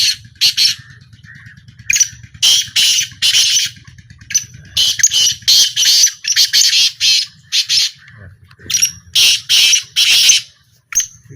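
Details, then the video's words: Black francolin calling during a small trial in 2025: loud rasping, screechy notes grouped in quick series, pauses between phrases, a brief thin whistle at times, and a low throbbing background hum early on. "A Small Trial Of Black Francolin"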